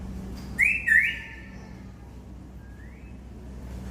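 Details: Domesticated African grey parrots whistling: two short, bright, warbling upward notes, a lingering fading tone, then a soft rising whistle, over a low steady hum.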